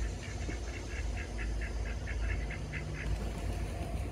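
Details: Pekin ducks socializing on a lawn in Oviedo, Florida give soft, nasal quacks in a quick run of about four per second, half-buried under a steady low rumble of traffic or wind.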